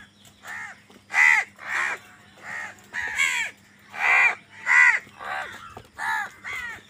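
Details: A rapid string of about a dozen harsh caws from crows fighting over food, overlapping and varying in loudness.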